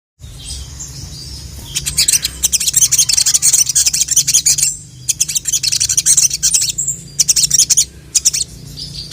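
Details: Crimson sunbird (sogon) in full gacor song with isian fills, calling a male: dense bursts of very high, rapid chirps and twittering trills, broken by short pauses, with a low steady hum beneath.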